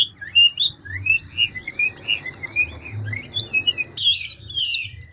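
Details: Old wild-caught Chinese hwamei singing a rapid chain of clear whistled notes, each slurring up then down, about three per second, ending in loud buzzy harsh notes; steady low hum in the background.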